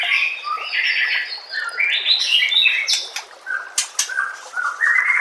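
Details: Tutor recording of white-rumped shama song, with harsh, scratchy notes and varied whistles, broken by a few sharp clicks, ending in rising whistled phrases.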